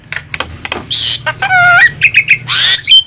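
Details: Lure call of the Javan myna, noisy and meant to pull wild birds to a trap. Dry clicks at first, then loud harsh squawks, a descending whistled phrase and short sharp notes.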